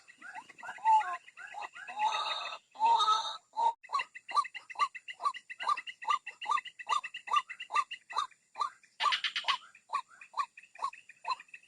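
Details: Playback of white-breasted waterhen calls meant to pull birds out of shrubs: early loud chattering bursts, then a long even series of short croaks repeated quickly, with light high twitters throughout.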